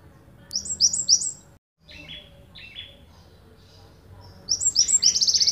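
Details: Java sparrow from Ponorogo on a songbird training master: bursts of high chirped notes, a quieter middle stretch of lower descending chips, then a loud rapid series of sharp chirps at the end.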